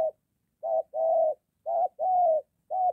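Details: Spotted dove, a moulting decoy bird out near home facing a wild dove, calling in crisp low hoots: short note, long even note, repeated twice, ending on a short hoot, with a quiet background.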